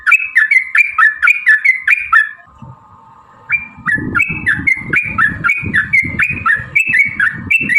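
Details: Sooty-headed bulbul giving long rapid song, fighting in style, played as a lure to make other bulbuls answer: quick whistled notes falling slightly in pitch, about three per second, a brief pause with a low hum, then the run resumes over low thumping noise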